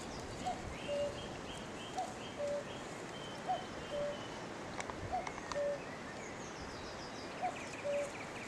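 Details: Outdoors on May 3, 2018, with horses close by, a cuckoo in a tree repeats its two-note call, high then lower, about six times. Faint twittering from other birds sits behind a constant background rush.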